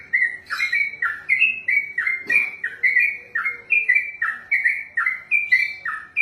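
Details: A kept trucukan (yellow-vented bulbul) pours out 'ropelan' song, a quick chain of rich whistled notes bending down then up, with one short sharp click partway through.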